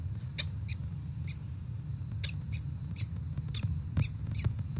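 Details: Female peregrine falcon in Melbourne, Australia, on 8 October 2023, apparently after a fight: short sharp high calls repeated about every third to half second, over a low steady rumble.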